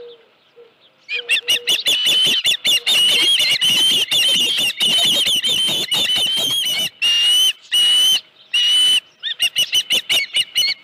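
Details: Osprey at its nest at Dunrovin Ranch, 31 July 2018, mid-morning with a headless fish: loud, rapid, high whistled chirps run in dense bursts with brief pauses, after a faint low note at the start.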